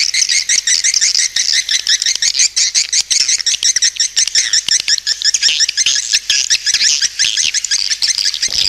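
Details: Swiftlets' lure call: an unbroken stream of high, scratchy chirps and twitters repeating about twice a second, interspersed with dry clicks.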